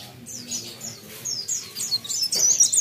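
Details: Thin, high chirping phrases from a mountain leaf warbler, starting quietly and growing louder toward the end, with some low background noise.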